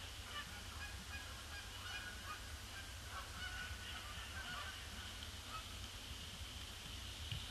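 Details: Canada geese arriving in an apparently unending flock, circling the pond before they land on a dull grey Boxing Day in December 2015; a chorus of mixed honks, some loud and some distant, over a low background rumble.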